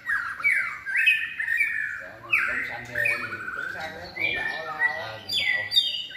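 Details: Trained competition-singing white-rumped shama, third moult, gives harsh, scratchy swooping notes and chattering phrases, bursting out about once a second at a fairly high pitch, with faint background noise.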